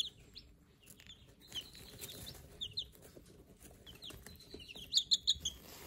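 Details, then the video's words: Silver Laced Wyandotte chicks, one day old, kept in a brooder, peep rapidly: thin high downward-sliding notes in loose bursts, ending with a run of five loud peeps, over low hum. "Day Old Silver Lace Wyandotte Chicks"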